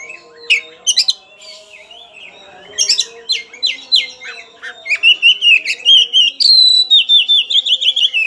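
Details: White-rumped shama, agitated and seeking an opponent, singing a varied, loud song: sharp downslurred whistles, rapid bright chips and a fast run of descending notes near the end, over faint steady background tones.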